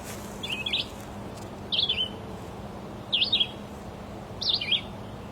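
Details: Red-eyed Vireo, a common migratory bird, singing four short, slurred whistled phrases, each rising and falling, spaced about a second and a half apart over a faint low hum.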